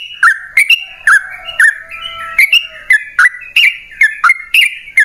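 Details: Yellow-vented bulbul song used to coax caged birds into singing: loud, liquid chirped phrases in pairs and triplets, each note dropping in pitch, repeated about twice a second over a faint lower whistled tone.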